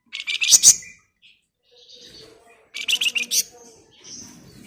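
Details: Scarlet minivet singing a dense, chattering ngebren phrase used to lure other birds into song: two bursts of rapid, piercing high chirps about two and a half seconds apart, with soft twitters between.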